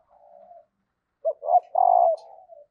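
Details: {'caption': 'Hen spotted dove, its call used to set males cooing: a soft drawn-out murmur, a pause, then two quick rising coos and a long vibrating coo that tails off into a quieter coo.'}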